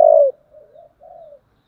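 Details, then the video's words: Spotted dove, 'giọng thổ' fighting call: the loud end of a low, level coo drops away into two soft, murmured notes. Nothing else is heard. "cu gáy giọng thổ, thúc đấu"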